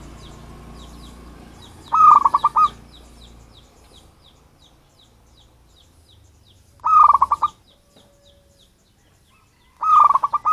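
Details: Local wild zebra dove, from its natural habitat rather than bred, calling as a lure to attract other birds; three short bursts of rapid, pulsed, rolling coos, each under a second, spaced several seconds apart over a quiet background.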